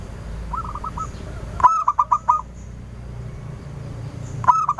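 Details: Local zebra dove lure bird with a clear voice. A faint phrase of four coos is answered by a loud burst of quick rolling coos, then another strong burst begins at the end.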